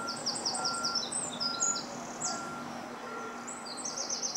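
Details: Eurasian wren, a garden bird, sings high, rapid trills of repeated sharp notes, running fast and loud in bursts with short pauses, then starting again near the end.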